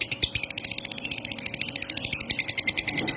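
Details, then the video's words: Konslet bird begging with open gape, giving rapid high-pitched ticking pulses, about three to four per second, steady throughout. "Burung Konslet manggap"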